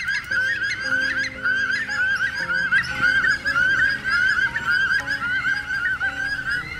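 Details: A group of nocturnal bush stone-curlews give eerie, wavering shrieks that rise and fall in a steady overlapping chorus, as heard through the night, over soft background music.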